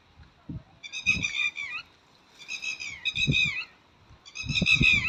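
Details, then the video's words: A red-wattled lapwing gives loud, strident calls with harsh, slightly falling notes, three bursts in about five seconds, over low thumping background noise. "Red-Wattled Lapwing ટીટોડી પક્ષી"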